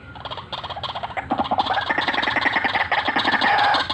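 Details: White-breasted waterhen in a full "ngekek ngeroll" lure call. Fast pulsed croaks, about three or four a second, build in loudness into a rough rolling chatter.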